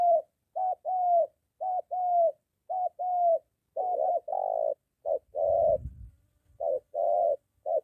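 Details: Spotted dove, a molting decoy bird being trained near home, meeting a wild dove. Soft, low hooting coos come in short-then-long pairs, repeated about once a second with brief gaps. A faint low rumble is heard near the end.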